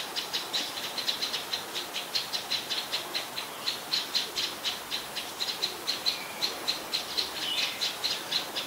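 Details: Common tailorbird, an adult common resident, recorded 9 February 2023 at Ubon Ratchathani, Thailand; a rapid run of sharp high chips repeated about three times a second, steady throughout, over faint background hiss.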